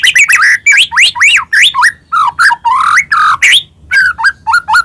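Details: White-rumped shama from Medan in rich, varied full song, meant to provoke other shamas into singing: dense run of loud rising and falling whistles, rapid chirps and squawky notes, about four phrases per second, ending in short looping whistles.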